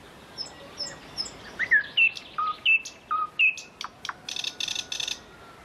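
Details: Common nightingale song with about seven distinct phrase types: clear high slurred whistles, then short sharp clicks and a burst of rapid, rattling high notes, each phrase crisply delivered with varying order.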